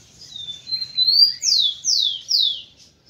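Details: Song of a kept male rufous-collared sparrow, used to stimulate breeding females. A thin rising whistle leads into three strong, descending slurred whistles spaced roughly half a second apart, ending in quiet.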